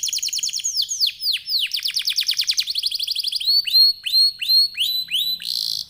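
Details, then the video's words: Canary singing in top form as a lure to trigger other canaries to sing: rapid repeated trill notes, then a run of downward-sweeping whistles about three per second, closing with a buzzy burst. "Kenari gacor, Apapun jenis jenis anda pasti akan terpancing bunyi dengan pancingan kenari ini"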